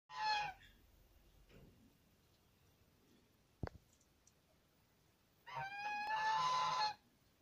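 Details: Farmed goose gives a brief nasal honk, then after a pause a longer, loud, harsh call lasting over a second; a single sharp click falls between.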